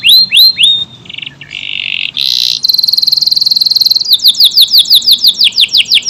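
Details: Vigorous AF canary in long tight-burst song: a few upswept whistles, rough buzzy passages, a fast high trill, then evenly repeated down-slurred notes.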